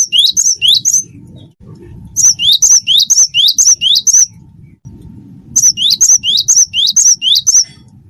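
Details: Cinereous tit of the wingko type in full song, used as tutor song to prompt other birds: three bursts of rapidly repeated, high, two-part whistled notes, about two per second, separated by short pauses over a low background hum.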